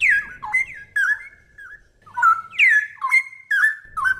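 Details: Straw-headed bulbul singing clearly, a recording meant for tutoring songbirds: loud liquid whistled notes that swoop downward and level off, delivered in short bursts with brief pauses between groups, quiet low rumble underneath.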